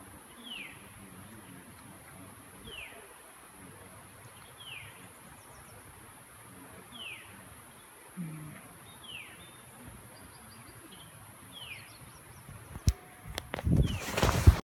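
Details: A veery calling at Catherine Creek State Park, Oregon, in June 2016 repeats a thin, downslurred "veer" about every two seconds over a low background rumble, with brief clattering noise at the end.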